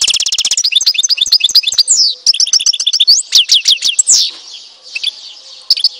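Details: Song of a European goldfinch in Tizi Ouzou, Algeria. A dense burst of rapid buzzy trills and liquid twitters lasts about four seconds, then fades to a softer, scratchy warble.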